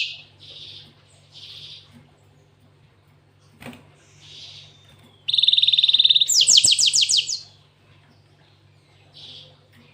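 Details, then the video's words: Soft scattered notes from a cinereous tit give way to a steady high trill and then a quick burst of steep downward-sweeping notes, the canary-style song called isian kenari; faint low hum throughout. "Burung gLatek watu full isian kenari"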